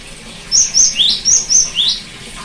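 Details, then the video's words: Cinereous tit song, played as therapy to get a silent bird singing again: two high, thin whistled notes followed by a lower rising note, the three-note phrase given twice in quick succession over a faint hiss. "terapi gelatik batu macet bunyi"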